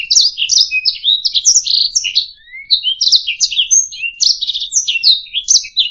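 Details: Canary singing as master audio for training other birds: quick bright notes and slurred sweeps, a short rising whistle after a pause near the middle, then buzzy rattles and chirps resume, quiet surroundings.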